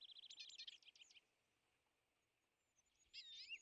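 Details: European greenfinch at a winter feeder, where it aggressively chases off smaller birds such as tits and sparrows; a fast jangling trill of looping notes, a long quiet pause, then a short scratchy burst.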